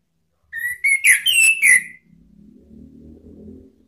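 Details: Orange-headed thrush sound used to provoke rival birds: a quick run of five clear whistled notes, the middle ones higher, then a low rumbling background.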